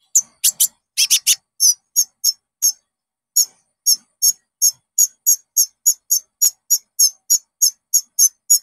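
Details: Konin (Common Iora) song used to coax caged birds into singing: a burst of rapid chirps gives way to a long, steady series of high, clear notes, roughly three per second.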